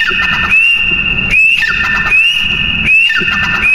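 A partridge gives loud, shrill, ringing calls: a sustained high whistle broken by sharp upward-slurred notes, roughly every second, over a low background rumble.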